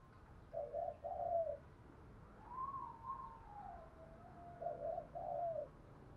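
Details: Spotted dove from Vietnam cooing to provoke other doves to call; soft paired hoots repeat on either side of a long, wavering whistled glide, over a steady background hiss.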